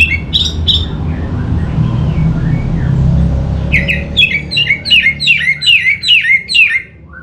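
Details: Orange-headed thrush used as a lure song, a fast rich series of loud whistled notes, each sliding downward, repeated about twice a second near the end, over a steady low rumble.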